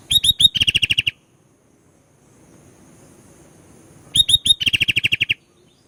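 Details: Sooty-headed bulbul singing vigorously, used to stir other birds: three quick upslurred whistles then a fast rattling series of about ten short chirps, repeated after a quiet gap of about three seconds.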